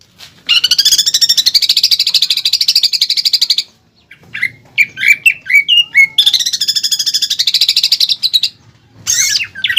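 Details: Greater green leafbird master song for caged-bird training with 'pelatuk bawang' filling; long continuous rattling trills framing a middle section of short sharp whistled notes.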